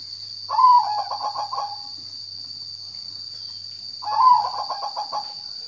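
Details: Zebra dove giving two song phrases about three and a half seconds apart, each a loud clipped opening note sliding into a quick string of soft, rhythmic cooing pulses, with a steady high whine behind.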